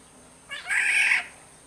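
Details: A black-naped oriole from Sumbawa utters one drawn-out, grating, mewing squawk, starting with a short rough note and swelling into a harsh, nasal sound, over low background hiss.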